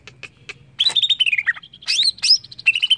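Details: Greater green leafbird song meant to set off singing: a fast, rich jumble of warbled whistles sliding down then up, thick with overlapping chirps and squeaky notes.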